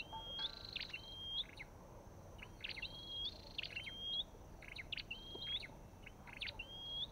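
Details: Olive-backed tailorbird alongside a white-eye: a quick run of rising whistled slurs, each tied to scratchy chirps, about six phrases at irregular spacing.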